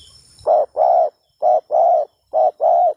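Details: Spotted dove, a frequent caller used for luring doves, calling three short-long pairs of low rounded coos, each pair separated by a short silence, in a quiet setting.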